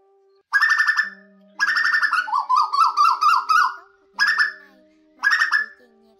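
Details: Asian koel call used as a lure for night netting of migrating birds in August 2024: harsh, grating squawks, then a quick run of about six rising, mellow notes, and more squawks over a faint steady hum.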